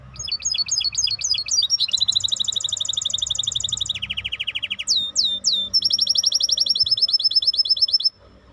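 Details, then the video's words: Maestro bird delivering a long varied song: slurred whistles leading into successive rapid trills at different pitches, some rolling, some descending, each section changing abruptly. "احلى تغريد مباشر لطائر المايسترو"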